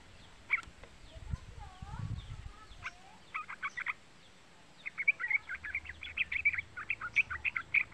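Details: Young yellow-vented bulbul (trucukan) used as a lure call: scattered sharp chips, a few soft curved whistles and low background noise, then a dense stretch of rapid, rhythmic chattering notes.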